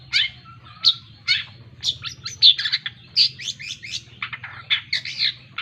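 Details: Long-tailed shrike in a busy, varied chattering song of rapid scratchy chirps and clipped notes, bursts crowding together midway and again near the end, over a faint steady hum.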